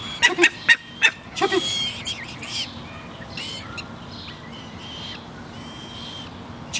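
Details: Two-week-old Barbary falcon chick being fed by a one-year-old imprinted gyr x peregrine hybrid female during an introduction attempt. A quick burst of five sharp, harmonic chipping calls is followed by fainter, scattered thin notes over steady background hiss.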